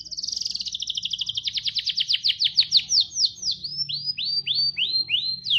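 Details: Rambetuk laut song filled with canary imitation, opening with a rapid trill of high notes that slows into longer, separate down-slurred whistles near the end; faint low background hum.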